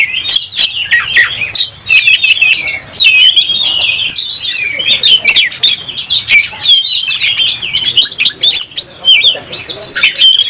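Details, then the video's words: Oriental magpie-robin singing hard during a fight, tail opened, a caged bird in excited display; a dense unbroken stream of high twisting whistles, trills and sharp chips with sudden clicks and knocks. "Kacer gacor langsung tarung buka ekor bongkar emosi"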